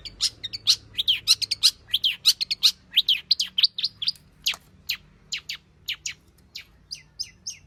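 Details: Long-tailed shrike singing a full varied repertoire to draw out singing: a dense, fast chatter of harsh, buzzy and chirping notes at about one per second or quicker, thinning into spaced sharp notes.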